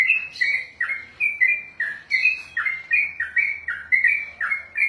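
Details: Sooty-headed bulbul, kept and trained for singing competitions, in ropel style: about fourteen full, whistled-chattering notes in a rapid run, some sliding downward, with a soft background hum.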